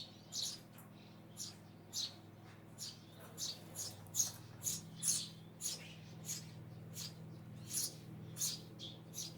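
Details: Eurasian tree sparrow calling: short, sharp, high chirps repeated at uneven intervals of about half a second to a second, sometimes in quick pairs, over a steady low hum.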